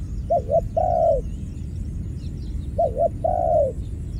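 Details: A dove repeats its cooing phrase twice, about two and a half seconds apart: a quick double hoot, then a sustained descending coo, over a low rumbling background.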